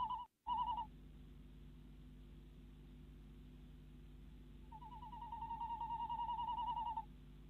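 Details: Female tawny owl calling from a nest box at night in the Netherlands, male bringing a mouse: a short wavering trill, a pause, then a longer rapid quavering series lasting over two seconds over low hum.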